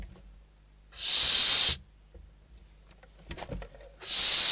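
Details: Inside a barn owl nest in Spain, chicks fight over a food delivery in December 2023; two long harsh hisses with rustling and scrabbling in between.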